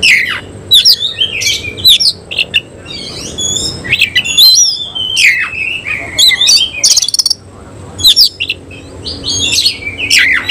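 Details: Semi-Cililin Oriental magpie-robin singing vigorously with its tail spread open. Varied whistles, slurs and scratchy notes are laced with frequent loud clicks in an unbroken, energetic flow.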